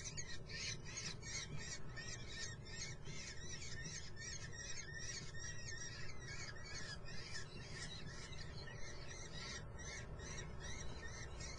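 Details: Common kestrel chicks in a nest at Muttenz: a continuous, dense chatter of high, squealing notes repeated rapidly throughout, over a steady low rumbling hum.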